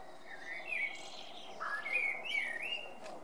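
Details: Male common blackbird singing: fluted, warbling phrases that slide up and down, ending in higher twittering notes, over a steady low background hum.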